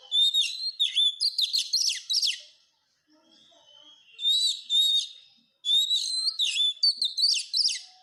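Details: Oriental magpie-robin (kacer) song as masteran for teaching caged birds: rich rapid phrases of whistles mixed with sharp high chattering notes, three bursts divided by short pauses.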